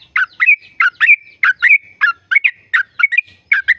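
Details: Sooty-headed bulbul delivering a long "ropel" trill, a lure recording for setting off other bulbuls: rapid, liquid chirps repeated almost twice a second, each bright note sliding into a brief whistled tail.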